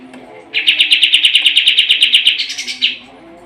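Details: Sooty-headed bulbul in full, energetic voice, a tutor recording for contest birds: one rapid trill of clipped, evenly spaced notes lasting about two seconds, ending in a slightly higher flourish.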